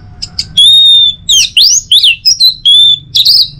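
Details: Orange-headed thrush delivering a loud, rich song used to prompt other birds in the morning: a long steady whistle, then swooping slurred notes and sharp rising whistles in quick succession, ending on a buzzy flourish.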